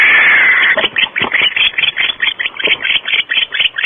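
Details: Barn owls at the nest at Starr Ranch at 5:45 am, before dawn: a long hissing screech followed by rapid harsh clicking chitters, roughly two per second, somewhat irregular.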